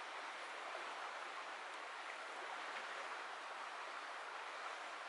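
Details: Steady rushing of flowing water or distant traffic forms an unbroken hiss, with no animal calls.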